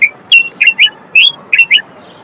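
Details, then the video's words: Common bulbul, described as an authentic Moroccan bulbul and a male, singing to stimulate other males to sing and prepare females for mating: short rich whistled phrases of three to four notes, repeated with brief pauses. "تغريد البلبل:أجمل وأقوى الأصوات لتحسين آداء البلابل والفراخ القافلة."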